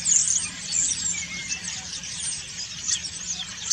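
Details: Autumn song from preening common starlings: strong high whistled squeals at the start, then a running chatter of clicks, squeaks and buzzy notes without pause.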